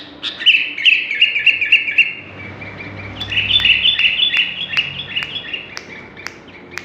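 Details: A chatty sooty-headed bulbul with a strange, shrill voice gives quick high chirps in rapid bursts. The notes come in short clustered runs over a steady low hum and background noise.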